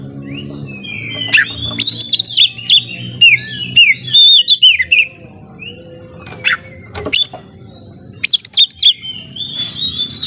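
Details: White-rumped shama, a kept songbird, delivering a varied song of clear rising and falling whistles, sharp chips and quick trilled bursts with pauses between phrases, low background hum at first.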